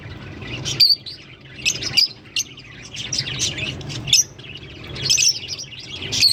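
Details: A pair of green Fischer's lovebirds singing and chirping: a steady stream of high, shrill twittering with sharper squeaky chirps standing out roughly every second, over faint low background hum.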